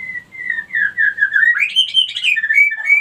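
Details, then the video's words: White-rumped shama lure to bring females into breeding condition and ready to mate; a continuous warbling whistled phrase, wavering and climbing in pitch toward the end. "pancingan murai batu betina kurang birahi auto naik birahi ngleper minta kawin"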